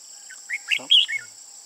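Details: Red-whiskered bulbul, an old bird with red eye patches on both sides, recorded during bird trapping on 15 June 2018. A short, loud burst of four or five chirpy, warbled notes sounds within a second over a steady, high cricket drone.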